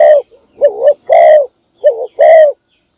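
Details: Spotted dove, a decoy bird, calling in the morning to call in other doves: two clear phrases of a wavering double coo followed by a full, sustained rolling coo, about a second apart.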